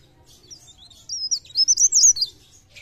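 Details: Mountain leaf warbler (cikrak daun) lure song in blereng gacor, pre pare style for trapping; after quiet, a burst of very high sliding, twittering notes lasting about a second.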